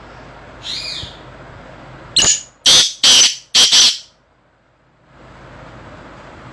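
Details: Caged black francolin (kala titar) gives four loud, harsh, grating notes about half a second apart; a faint thin whistle comes just before.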